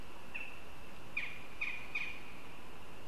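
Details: Northern goshawks chatting in Riga, Latvia, on 22 September, seen on a live camera: thin, sharp squeaks, one and then three in close succession about half a second apart, against a constant hum.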